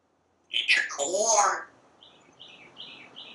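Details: A pet parrot on a screened porch blurts a loud, rough speech-like phrase while eyeing squirrels and birds, followed by soft, repeated chirps.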